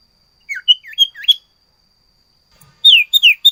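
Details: Sirtu in lively song full of varied phrases, short twisting whistled notes after a brief silence, then louder, higher falling slurs in quick succession.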